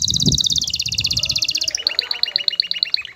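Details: Aroused male canary singing to a female to bring her into mating readiness. A rapid, high trill slides slightly down, then switches to spaced, two-part chirps repeated about five times a second.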